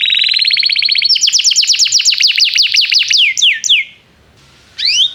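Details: Energetic canary song used as a tutor for young canaries learning to sing: a rising high trill leads into quick repeated downswept chips that slow into separate slurred notes, a pause, then a sweeping upward call.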